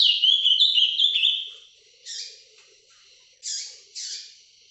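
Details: Ultramarine grosbeak (azulão) kept by a breeder, singing Paraná vinte vinte live: an opening run of loud, clear, high whistles, then three short, harsher bursts spaced about a second apart.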